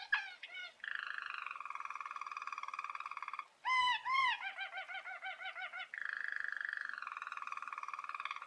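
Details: Belgian roller canary song used to train young canaries: long, smooth, low rolling trills, broken by a few loud, hollow, bubbling notes that curve up and down, then a pulsed roll and another sustained low roll.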